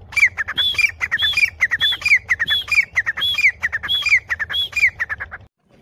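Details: Female grey francolin giving a long run of calls: arched whistled notes alternating with scratchy squawks, phrases repeating about every 0.6 seconds in a steady, insistent rhythm before stopping abruptly.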